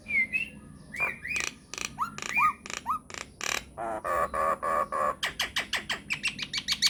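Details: Myna lure recording for making other mynas call back: upslurred whistles and short bent notes, harsh buzzy stacked calls, then a rapid series of falling chips.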